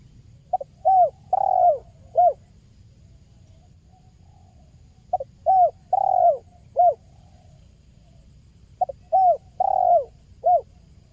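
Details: Spotted dove known locally as tekukur, played to attract birds: three matching cooing phrases roughly four seconds apart, each a quiet pickup followed by low falling coos, the middle one drawn out and rolling.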